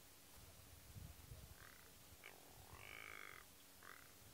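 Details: Rock ptarmigan male in late summer plumage giving its typical call, a few dry, rasping croaks in short bursts with the longest near the end, over low rumbling wind; Bavaria, Germany, September 2015.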